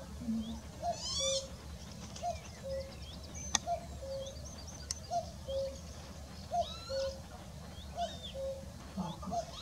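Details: A common cuckoo at Sandwich Bay Reserve, Kent, UK, repeats its falling two-note 'cu-coo' about every one and a half seconds, over high chirps from other birds and a low rumble.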